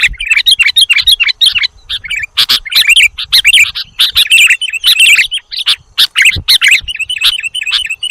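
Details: Luring recording of the Sooty-headed bulbul: near-continuous chattering chirps and quick warbled notes in crowded bursts, with a few rhythmic, evenly spaced high notes toward the end.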